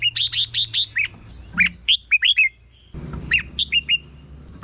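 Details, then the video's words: Red-whiskered bulbul song used to stir caged birds, a quick run of five whistled notes, then sparse slurred chirps after a pause, faint hum and a steady high tone behind. "เสียงนกกรงหัวจุก สำหรับต่อ หรือ เปิดให้นกคึก เสียงเพราะๆ"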